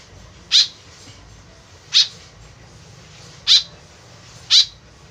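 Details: White-breasted woodswallow giving four short, grating, buzzy calls spaced one to one and a half seconds apart, a sound used to lure the birds, over quiet background hiss.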